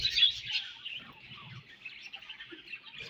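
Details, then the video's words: Budgerigars eating their favourite food, giving dense high chirps and warbling chatter that is loudest in the first half second, then a steady softer twittering, with faint low thumps from feeding. "Budgies Eating Their Favorite Food"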